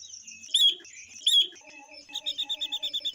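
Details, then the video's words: Female Chinese hwamei song, used for stimulating males, alongside a female ngũ sắc bird: two separate harsh, rising whistles, quiet low chatter, then a quick, even series of short, clear repeated notes. "Ngũ Sắc Mái Kèm Quế Lâm Mái Kích Trống Thật Nhạy.Tiếng Chim Ngũ Sắc Mái/ Quế Lâm Mái Hót"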